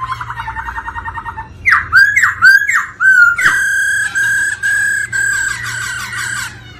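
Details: Pulsing rolling notes open, then a black-throated laughingthrush, stimulated by female calls, bursts into looping downward whistles and a long sustained harmonic-rich whistled trill with steady beats.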